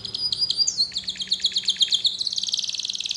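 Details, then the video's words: Atlantic canary song used as a training recording to get young canaries singing quickly: high, rapid trills and chirps that shift into a fast, even, buzzy roll near the end, with no other sounds. "Masteran Suara Kenari Ini Agar Kenari Paud Cepat Bunyi dan Gacor"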